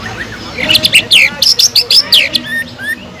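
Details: Greater green leafbird singing loudly, its song filled with imitation of a kingfisher, used as a lure for other leafbirds: a quick run of bright, sharp whistled and chattering notes, then two softer rising whistles.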